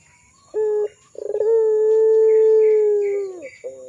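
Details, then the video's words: Barbary dove of the pelung type, an actively singing bird used as a lure for training young doves: a short low coo, then a stuttering pulsed start that swells into one long, steady, low coo of about two seconds, sliding down at its end, with a faint high whine behind. "SUARA PANCINGAN BURUNG PUTER PELUNG GACOR COCOK UNTUK MASTERAN PUTER BAHAN MUDA"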